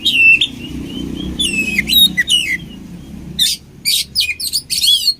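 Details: Oriental magpie-robin song, used for training birds: clear high whistles with upward flicks, then a series of loud sharp harsh bursts, over a steady low background hum.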